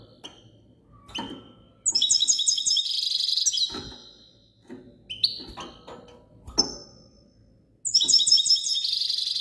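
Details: Goldfinch song in spaced bursts of sparkling, metallic twitters and quick trills, with soft tapping and clicking noises between phrases.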